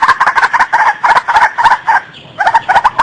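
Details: White-breasted waterhen lure call: loud, rough, clucking notes delivered in a fast repeated series of about three per second, with a short lull before the rhythm picks up again.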